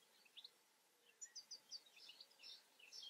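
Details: European goldfinch giving quick, high, tinkling chirps in a loose twittering run, faint against a soft background hiss.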